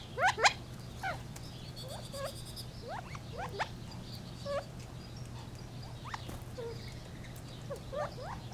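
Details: Gambel's quail giving a loud rising chirp, then sparse, softer upslurred notes and short flat calls scattered through, with a low background hum.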